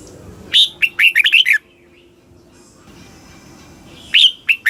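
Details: Southern-style song of a red-whiskered bulbul from Thailand, played to rouse caged birds: a rapid run of five or six ringing, bending whistles, a quiet gap, then another short phrase starting.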